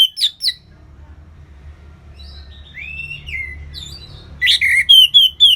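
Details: Ngeplong-style song from an orange-headed thrush: two sharp opening notes, long gliding whistles rising and falling, then a fast series of loud high repeated notes.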